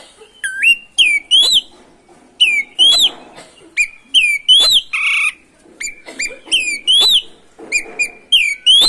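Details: Oriental magpie-robin (kacer) in full song, used to provoke other magpie-robins: loud clear whistles, each dipping then rising, repeated in quick succession with sharp chirped overtones and a brief harsh buzzy note near the middle.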